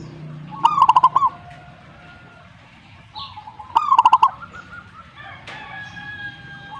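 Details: Two rolling phrases of staccato cooing from a zebra dove, roughly three seconds apart, each of about six low notes; some softer tonal sounds and a brief whistle follow near the end.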